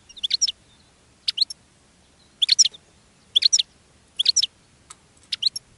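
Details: Caged European goldfinch singing as other goldfinches are attracted: tinkling clusters of two to four high chirps at roughly one-second intervals over soft low background noise.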